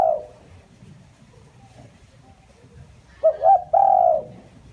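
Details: Lure cooing of a spotted dove used to call in wild doves, the tail of one coo at the start, then a full phrase of two brief low notes and a long smooth coo after a quiet gap.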